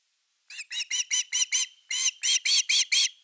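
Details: Osprey at its nest on the evening of 30 August 2021, around an evening fish delivery, filmed by a nest camera. It gives a series of about eleven sharp, arched, whistled notes, a brief pause midway, with no other sounds.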